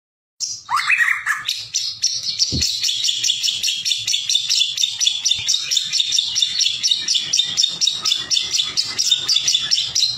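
A White-rumped Shama opens with a few rich, sweeping whistles, then breaks into a long run of rapid, high, scratchy chattering notes that continues without pause.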